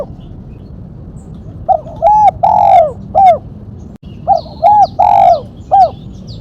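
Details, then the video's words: Spotted dove in the mercik style with a sharp single kuk, used for luring and training: two cooing phrases, each a short note, a paired hoot, a long drawn falling coo and a final clipped coo, over low rumbling background. "Burung tekukur suara MERCIK kuk 1 tajam"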